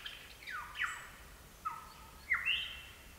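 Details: Lyrebirds at Gibraltar Creek in the ACT, recorded in the field: loud, clear whistled notes sweeping steeply downward, about four phrases over three seconds, the last one jumping up before sliding down, with light background hiss.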